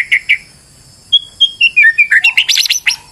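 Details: White-rumped shama in a stressed state, its song used as a lure: two sharp chips, then a descending series of clear whistles breaking into quick, rising buzzy trills.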